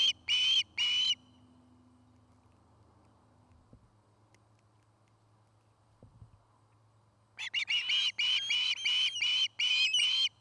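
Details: Osprey at its nest by a nest camera in Charlo, Montana, afternoon of 09-05-2018: a burst of shrill, whistled chirps, then near silence with low hum, then a fast run of piercing repeated whistles.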